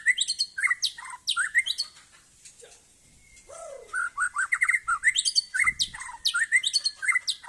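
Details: Aceh white-rumped shama recorded at a songbird contest, delivering rapid bursts of sharp whistled and buzzy notes, a pause with a low slurred note and a long flat whistle, then brisk repeated phrases resume.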